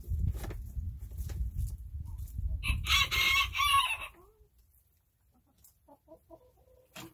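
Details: Over a steady low rumble, a chicken gives one strained, raspy crow of roughly a second and a half, then the scene quiets to a few soft short notes.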